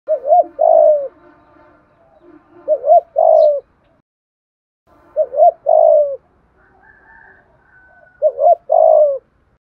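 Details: Spotted dove decoy coo, used to stir wild doves into calling. Four phrases of soft, hoarse coos, each a short note, a quick double note, then a long drawn-out note falling in pitch, with brief pauses between.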